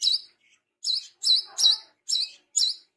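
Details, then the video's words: Energetic tame brown-throated sunbird repeating loud, high, slurred chirps roughly every half second, each note thin and piercing. "KOLIBRI KELAPA BESET JINAK GACOR"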